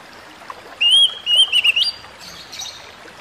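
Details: Oriental magpie-robin (kacer) song aimed at stressed birds: one long sweet whistle, then a quick wavering cluster of notes ending in a higher rising whistle, before quiet returns.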